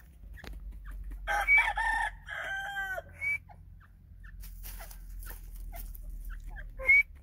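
A grey francolin gives a quick burst of loud, harsh, ringing notes that rise and fall, with another brief note near the end, over a low steady hum.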